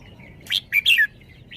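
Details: Red-whiskered bulbul singing one short phrase: three loud, liquid notes in quick succession, the last a falling whistle, framed by soft chirps.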